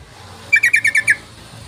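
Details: Lure recording of a Yellow-vented bulbul: a quick run of six bright, slightly buzzy notes delivered in well under a second, over a soft low hum.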